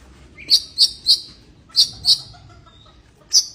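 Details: Oriental magpie-robin in breeding condition, giving sparse, bright, high chirped notes, three quick ones, a pause, two more, then a final note, over a quiet background.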